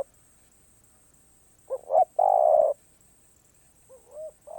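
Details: Spotted dove, คารมป่าร้อย song style: after silence, a wavering double note and one long steady coo, then softer rising notes trailing off.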